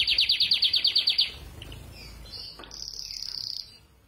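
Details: Training song from a group of five canaries, opening with a loud, rapid trill of about ten evenly spaced bright notes, followed by softer warbling and a sustained high, buzzy whistled phrase.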